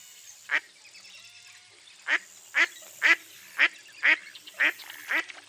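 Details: A mottled duck (Anas fulvigula) in eastern North America gives loud, raspy quacks, eight in quick succession, mostly about two a second after a brief pause, over a faint background hiss.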